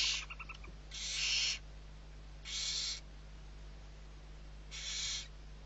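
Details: Six owlets of the barn owl being fed at Riet Vell reserve, Ebro Delta, Spain, 21 November 2023. A brief run of quick, higher chittering notes is followed by three drawn-out, harsh hisses over a low hum.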